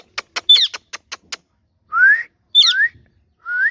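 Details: Green ringneck parrot, a rose-ringed parakeet, giving a quick series of sharp clicks, then short squeaky notes and rising whistled slurs repeated a few times.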